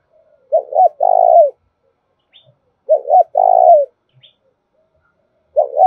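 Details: Spotted dove "thổ đồng" voice lure for stimulating wild doves: three evenly spaced coo phrases, roughly every two and a half seconds, each a paired short hoot then a long mellow coo, background quiet.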